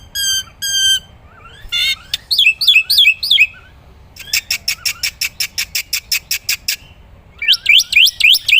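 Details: Black-winged myna, used as a master recording for songbirds, delivers short whistled notes, looping rising-falling whistles, then a fast run of about fifteen harsh clicked notes and more looping whistles.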